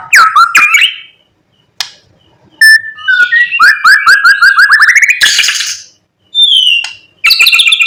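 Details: White-rumped shama in morning song used to stir other shamas into singing: fast, loud run of rising whistled notes, bright slurs, a noisy rasp and clipped chips, with brief silences between phrases.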